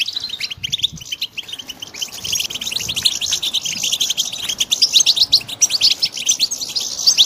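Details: Chorus of European goldfinch chicks: rapid, continuous high squeaky chirps piling up into an almost unbroken twitter that grows busier and louder toward the end, with a quieter opening second.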